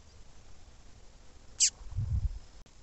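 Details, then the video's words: A female double-collared seedeater calling insistently, used to stimulate males to sing, gives a single sharp, high chirp that slurs downward, followed by a low rumble of background noise. "fêmea de coleiro chamando muito !"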